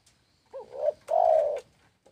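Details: Spotted dove song phrase: a brief curled opening note swelling into a coo, a short pause, then a loud, sustained, mellow coo that fades out. A soft click sounds at the end.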